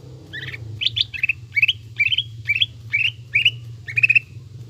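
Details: Greater green leafbird lure song with tengkek buto imitation: eight or so buzzy rising chirps repeated about twice a second over a low hum.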